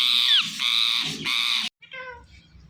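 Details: Loud, harsh squawks from a pet Indian ringneck parakeet known for talking, three grating bursts, then a quieter nasal note after a brief silence.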